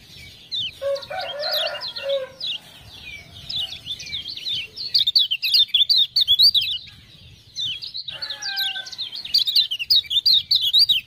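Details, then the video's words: Lemon-bellied white-eye singing after ciak-ciak prompting sounds: long, fast strings of high chirps and twitters, with a buzzy lower chatter near the start and a short whistled note midway. "Kecial Kuning joss gacor"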